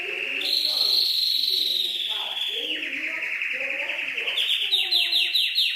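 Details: Canary song used for masteran tutoring, combined with soothing trickling water: one long sustained high whistle slowly sliding down, ending in quick repeated sweeps, over a lower gurgling murmur.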